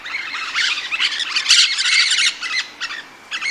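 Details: Rose-headed parakeet producing a busy run of rapid, harsh chattering squawks, roughly three per second and irregular, loudest in the middle, then fading before a final short burst.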